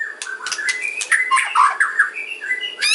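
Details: Dense kretekan song of a white-rumped shama, used to lure others into answering: continuous jumbled whistles, chattering crackles and quick slurred notes packed tightly together, with slight background hum.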